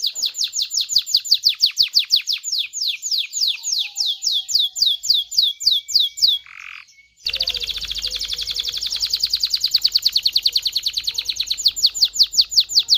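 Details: Canary song used to stimulate males and females to breed: long series of rapid down-slurred high notes, a short low buzzy note, then a dense, fast high trill.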